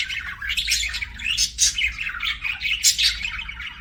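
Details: Budgerigar chirping in a rapid flowing chatter of scratchy warbles and squeaky whistles that surge and fade every half second or so, over a soft constant hum.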